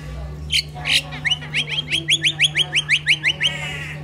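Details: Crested myna kept as a pet at home in the Philippines, a mimic bird, chirping: two rough squawks, then a fast, even run of about thirteen bright, clipped chirps, with a constant low hum behind.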